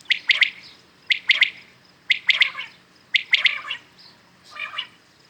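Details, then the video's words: Several common quails call in the morning, giving crisp, high three-syllable phrases about once a second. Each phrase is a quick run of sharp notes, with a softer echoing phrase at the close. "Today common quails calling"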